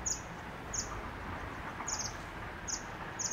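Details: Fire-tailed myzornis at Lepcha Jagat, West Bengal, giving very high, thin, brief calls, repeated about every two-thirds of a second over a steady background hiss.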